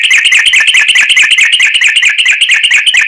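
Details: Yellow-vented bulbul giving a long fighting song with a rapid trill, used as a lure to provoke other bulbuls to sing: an unbroken, fast run of bubbly, buzzy notes repeated over three seconds.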